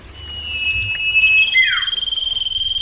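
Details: Common iora singing loud and clear. A sustained high whistle runs throughout, broken by a quick downward slurred note near the middle.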